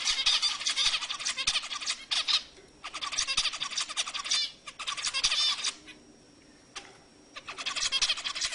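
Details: Loud zebra finch song used to stir other birds into singing: long strings of fast, buzzy, trumpet-like nasal notes. Brief pauses break the strings into several phrases before a final burst.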